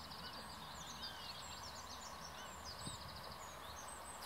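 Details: Common reed warbler close by in canal-side reeds north of Kockengen, Utrecht province, giving rapid scratchy high chirps and short slurred whistles in a jerky series, set against a steady low rural hum.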